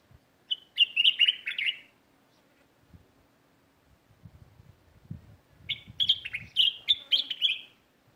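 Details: Sparrows in a neighbourhood garden: two bursts of quick, bright chirped notes, each run of about six rapid chirps lasting over a second, separated by a quiet gap with faint low rustling.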